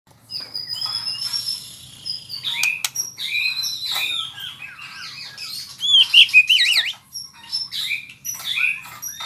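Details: White-rumped shama (murai) learning to sing rolling trills: a long run of varied whistles, warbling wavy notes and rapid trills, mixed with thin high tones, over a low steady hum.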